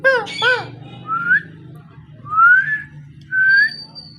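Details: Parrot starting with a few soft harsh notes, then three separate rising whistles about a second apart, clear and brief, above a steady low indoor hum.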